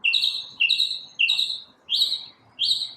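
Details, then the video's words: Morning song of one unidentified bird that alone makes all the varied sounds: bright rising two-note whistles repeated about every half second, five phrases with slightly longer gaps toward the end. "Birds chirping | Bird chirping sounds | Bird singing | Morning bird sounds"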